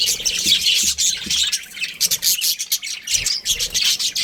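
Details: Budgerigar breeding pair giving fast, busy chirps and harsh squawky notes in quick bursts, with a few soft low knocks early on.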